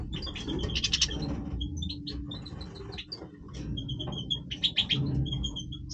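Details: Major goldfinch singing its breeding voice: fast chattering twitters and brief buzzy rattles mixed with clear high tinkling notes, partly masked by a constant low droning hum.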